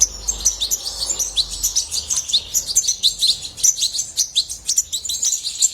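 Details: European goldfinch singing a dense, nonstop run of high, bright twitters and tinkling chirps, fast and jumbled, with no other sounds.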